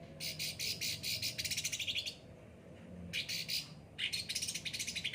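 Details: Kept cucak ranting with a yellow head, given frequent care, in lively song: fast, dense runs of high chirping notes in rhythmic bursts, separated by short gaps, with a faint low hum underneath.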